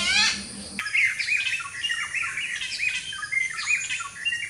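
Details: Malabar grey hornbills, endemic to the Western Ghats forests of southern India, give a rapid run of harsh, squealing, laugh-like cackles that rise, fall and overlap, after a brief low harsh squawk at the start.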